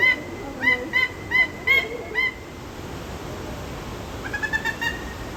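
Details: Peruvian thick-knee calling: five loud, harmonically rich piping notes, each rising slightly then levelling, repeated roughly every half second, followed after a pause by a quieter, quicker run of similar notes.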